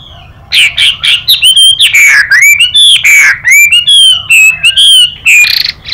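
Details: Chinese hwamei duelling song joined by female 'xùy' calls. After half a second of quiet, a dense stream of clear, looping whistles begins, each note bending upward or downward, with a few harsher broken notes among them.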